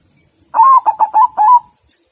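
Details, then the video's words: White zebra dove singing one clear cooing phrase of five notes: a long, level, mellow coo followed by quick, stuttering shorter coos, all at a steady low pitch, with a faint constant high hiss behind. "perkutut putih"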